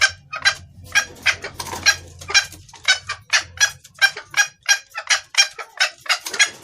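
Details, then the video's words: Hen red junglefowl calling to a male, recorded as a lure for males; a rapid series of rough, clucking bursts, about three per second, with faint low rumble early on. "Suara ayam hutan betina gacor pangil pejantan"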